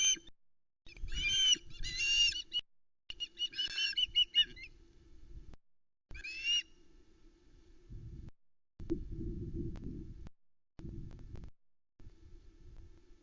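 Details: Young osprey on the Loch Arkaig nest, 17 August 2020, begging its parent for fish; a few grating, harmonic screams in the first half, then only wind buffeting the nest camera.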